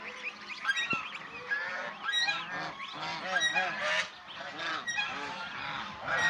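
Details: Domestic Swan Goose, also called Chinese swan goose, kept as a pet, seen playing, bathing, resting and fighting: a dense chorus of overlapping nasal honks and squawks from several birds with continuous background noise.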